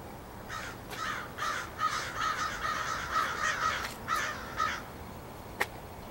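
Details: Crows flying around on 27 March 2015 give a series of about ten harsh caws over four seconds, closely spaced and uneven, followed by a single sharp click.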